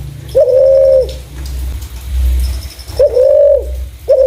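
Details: Two sustained, even-pitched coos from a spotted dove with a clear voice, used to lure other doves, each opening with a brief rise. A low rumble and faint high ticking are in the background.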